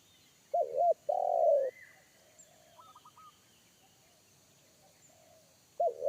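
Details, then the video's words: Wild spotted dove of the forest calling in a deep 'kuk satu' bass that a trained lure bird shied from; one low double coo and long coo, then quiet with soft trilled notes before the next phrase begins. "SUARA TEKUKUR INI‼️SUARA BESAR NGEBASS"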